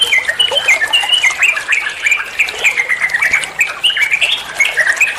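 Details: Bulbul (trucuan) song for training songbirds: busy stream of clear chirps, twittering trills and short slurred whistles, several phrases overlapping in rapid, unbroken chatter.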